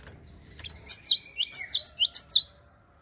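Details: Java sparrow singing to get other birds going: a lively run of about eight high, bouncing chirps over a faint sustained whistle, after a few clicks.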